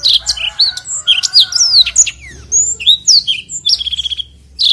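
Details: Energetic long rolling song of a black-throated canary, a tutor recording: fast high warbled notes and sweeping slurs, ending in a quick buzzy trill of evenly repeated notes before resuming.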